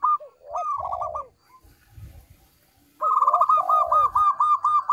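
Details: Zebra dove of a local strain, a lure bird, sings a phrase: a short dip, a quick stuttering run, then a falling slurred coo. After a quiet gap the pattern repeats with a longer rapid trill.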